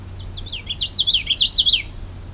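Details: A Common Yellowthroat singing very close beside a lake on the Bruce Peninsula gives a quick, high run of rolling, wavy notes lasting under two seconds, over a faint low hum.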